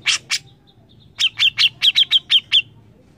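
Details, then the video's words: Grey-cheeked bulbul in full, insistent song: two rasping opening notes, a brief pause, then eight quick, clipped, ringing chirps at steady high pitch, about four per second, over a quiet low background hum. "cucak jenggot gacor mbeset ngotot"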